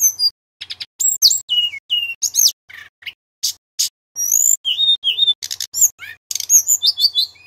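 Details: A male Sunda robin sings a fast, varied song of high, clear whistles, downslurred notes, brief trills and buzzy chips, phrases tumbling one after another with short gaps.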